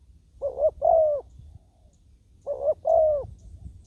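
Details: Ground decoy spotted dove luring wild doves with two matching mellow coo phrases, each a quick note followed by a longer, slightly descending croo, about two seconds apart.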